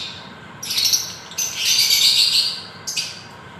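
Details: Lovebird giving three harsh, shrill, high-pitched chirping bursts: a short one, a longer sustained rasping one, then a brief final note, against a quiet background.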